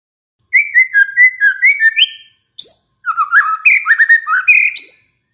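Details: White-rumped shama, described as agitated and set off by a lure track, delivering two bursts of rich varied whistles, slurred notes stepping up and down in quick succession with a brief gap between.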